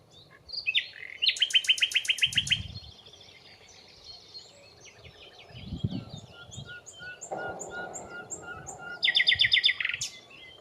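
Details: An unseen common nightingale singing in nearby bushes, present for a few weeks, gives loud bursts of rapid rattling repeated notes linked by thin high whistles and a pause; low wind or handling rumbles twice.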